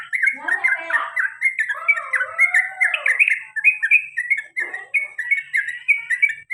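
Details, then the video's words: Pet male sooty-headed bulbul repeating short bright 'cuk' chirps in a steady rolling line, with lower drawn-out gliding whistles overlapping in the first seconds. "CUK CUK CUK TRUCUKAN ROPEL PANJANG DAN GARUDA BER ULANG - ULANG"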